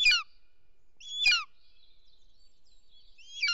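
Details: Bonelli's eagle at a nest in Els Ports, Catalonia, June 2023, male delivering a snake to the female: shrill, downward-slurring yelping notes, three bursts about a second apart, with soft thin whistles in between.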